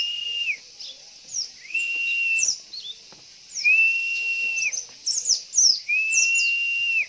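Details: Lure call of a female Javan white-eye meant to make males sing: long level whistles held under a second and repeated about every two seconds, with clusters of quick high down-slurred chirps between them over steady background hiss.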